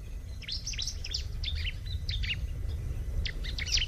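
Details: Bar-winged prinia in a nature recording: rapid, busy bursts of high chirping and twittering notes, with a short break before a final flurry, set over a steady low rumble of background noise.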